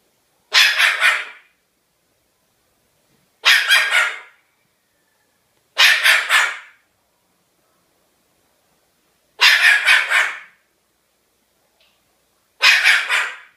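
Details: Pet cockatoo barking like a dog: five harsh, raspy barks spaced about three seconds apart, each a quick burst of three or four rough pulses, with silence between.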